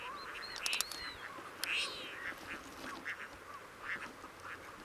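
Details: Crested Duck on the Coyle River estuary, Santa Cruz, Patagonia, Argentina, recorded during 18 June monitoring: two loud, harsh nasal calls about a second apart, then softer scattered notes and quiet background chatter.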